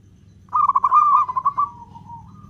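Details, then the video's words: Local zebra dove cooing with long beats, kept to provoke other doves into song: a single phrase of fast pulsed coos that slows and trails off into a fading drawn-out tone, over faint low hum. "Perkutut lokal gacor suara ketukan panjang, cocok untuk pancingan"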